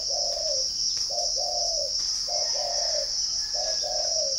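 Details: Captive spotted dove at a bird farm near Ba Vì, Hanoi, Vietnam, giving soft low coos in pairs, a brief lead note followed by a drawn-out sliding note, three phrases against constant high insect trilling.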